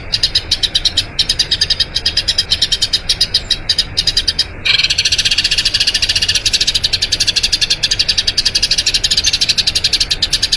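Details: Eurasian tree sparrow giving a long rolling song, played as tutor audio for training other birds: bright, rapid chirps repeated several times a second, with a brief shift in tone partway through and no other clear sounds.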